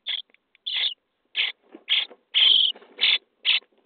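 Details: Nest box of common starling chicks on day 23 during feeding: rapid series of harsh wheezy begging notes, some short chips and one drawn-out grating call, fairly quiet and close.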